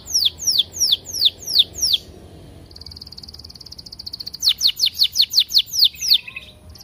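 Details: Canary song meant to trigger other canaries into singing: a series of clear descending whistled sweeps, then a fast buzzy high trill, then more falling sweeps ending in a lower rattling phrase.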